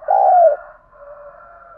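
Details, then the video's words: Spotted dove cooing to provoke fighting and draw responses from wild and decoy doves: a single loud, low, mellow coo note about half a second long, slightly falling, followed by a faint, lingering softer tone. "Tiếng chim cu gáy thúc đấu cực đỉnh mở lên bổi và mồi gáy theo xuất ngày"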